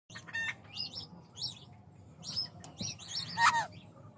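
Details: An Indian ringneck (rose-ringed parakeet) talking gives a series of short, raspy, syllable-like chirps, each under half a second, with a louder burst near the end over a low background hum.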